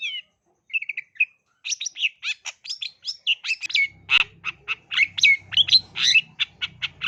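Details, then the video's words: Song of a long-tailed shrike meant to prompt young shrikes into song: a few short whistled notes, then a dense burst of harsh, chattering and warbled notes, quickening, over a low hum in the second half. "Pancingan Burung Cendet Gacor Dor Terbukti Ampuh dan Gacor Pencetak Pentet Calon Juara"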